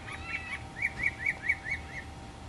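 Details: Northern mockingbird singing while preening, Florida native plants, 2005: a brief whistled opening, then a series of six arched, slurred notes repeated quickly at even pace.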